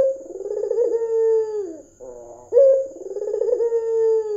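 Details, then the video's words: Red-eyed white Barbary dove, prized as a talkative lure bird, repeats low rolling coos that drop at the end, separated by a quick throaty trill, under a thin continuous high-pitched tone. "PANCINGAN PUTER PUTIH MATA MERAH GACOR"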